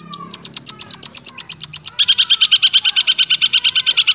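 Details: Six-month-old caged long-tailed shrike singing a rolling, fast series of sharp high chips, about three per second, shifting midway to a denser, lower-pitched run of evenly repeated notes.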